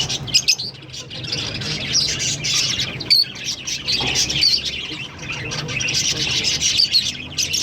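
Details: Green Fischer's lovebird pair in steady high-pitched chatter, a continuous stream of shrill, rapid chirps and squeaky notes with no pauses, above a faint low hum.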